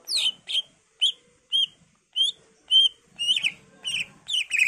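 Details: Greater green leafbird in varied song to prompt other leafbirds to sing back: single whistled notes spaced about half a second apart, building into denser slurred warbling phrases.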